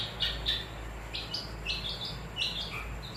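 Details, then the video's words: Caged long-tailed shrike delivering a rapid jumble of high, scratchy chirps and short whistled notes that vary in pitch, over a low background hum. "Kicau Burung Pentet Gantangan"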